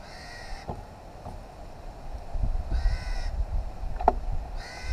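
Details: Wild, free-flying New Caledonian crow family of three using tools around a log to get food; three short harsh nasal calls with stacked overtones, at the start, middle and end, over low rumbling noise and scattered knocks.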